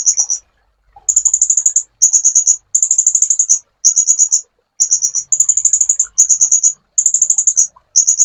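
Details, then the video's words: Sunbird song used as a master recording for training songbirds: very high, thin, rapid trilled phrases, each lasting about half a second to a second, repeated with brief gaps in a steady series. "MASTERAN BURUNG KOLIBRI"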